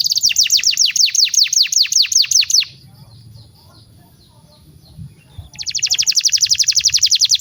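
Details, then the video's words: Canary master song used to train young birds: a fast series of bright downslurred notes, a quiet gap of about three seconds with faint background murmur, then a rapid high rolling trill. "SUARA BURUNG KENARI PANCINGAN MASTERAN PAUD BIAR GACOR PANJANG"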